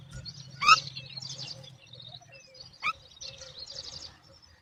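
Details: Mother myna calling to her chicks for feeding; a loud sharp crack, then buzzy rattling chatter and thin downslurred whistles over a low steady hum.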